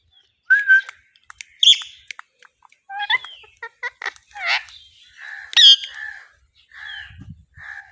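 A rose-ringed parakeet chirps in a varied run of sharp, squeaky notes and short whistles, some rising, some buzzy, with brief pauses between bursts.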